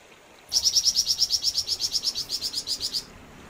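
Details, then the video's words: Series of about eighteen rapid, bright high chirps from a vigorously singing flamboyan bird, evenly paced and lasting some two and a half seconds. "Burung flamboyan gacor"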